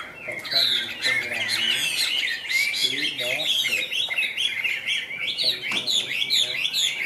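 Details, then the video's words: Chinese hwamei of the Tam Hoàng kind, caged, singing high with continuous bright warbled whistles and slurred notes, with lower nasal phrases breaking in now and then. "Họa Mi Tam Hoàng - Hót Cao Cầu"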